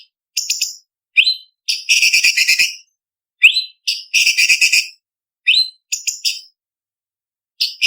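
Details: Blue-winged leafbird (cucak cungkok) singing a sharp varied 'isian' song used to train contest birds: high chirps and rising whistles interspersed with several half-second buzzy, rattling trills, phrases separated by clean gaps.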